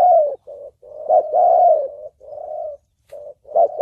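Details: Spotted dove calling in the thổ bầu style for trapping and decoy training: a run of low, soft coos merging into a longer swelling note, slightly muffled and uneven.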